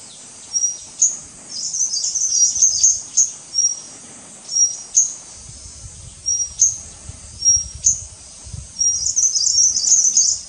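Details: White-gorgeted Flycatcher of race leucops calling at Doi Ang Khang, Thailand, 24 March 2017: thin lofty whistles and sharp notes, two twittering bursts, and a low rumble in the second half.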